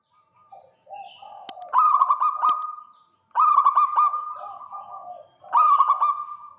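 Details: Local zebra dove singing vigorously to lure a rival: three bursts of rapid, stuttering, trilled cooing on a steady mid pitch. Each burst starts with sharp clicks, with softer lower coos between.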